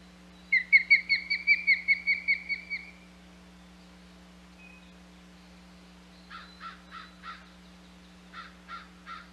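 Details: Osprey at a nest on Hog Island, 27 May 2020: a quick run of about a dozen clear, whistled chirps, each sliding down. They are followed by a pause and then fainter, harsher grouped notes. A steady low hum runs underneath.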